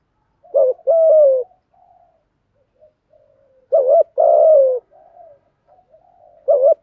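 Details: Male and female spotted doves cooing to urge other doves to coo: three phrases of a short wavering note and a long, mellow, descending coo, with quiet soft murmuring between them.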